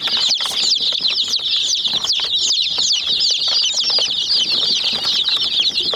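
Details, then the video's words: Many young chicks pecking at a small white toy jeep give a dense, continuous chorus of high, thin chirps with overlapping rising and falling peeps, and sharp tapping clicks from the pecking throughout. "Murgi Chicks Chirping Sounds"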